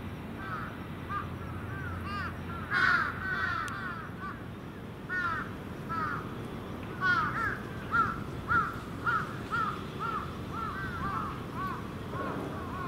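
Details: Crows, both young and adult, gathering at their evening roost on a hilltop terrace in Japan: many harsh caws from several birds overlapping in irregular bursts, over a steady rumble of wind and distant noise.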